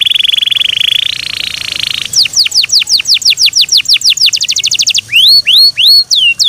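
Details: Song of a Yorkshire canary kept as a pet: a sustained rolling trill that steps up in pitch, then quick downward-swept notes that speed up, then looping upward-curving whistles.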